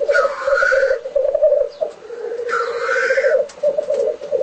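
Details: A displaying black grouse giving a continuous low, dove-like bubbling coo, broken twice by a loud hissing, sneezing whoosh lasting about a second.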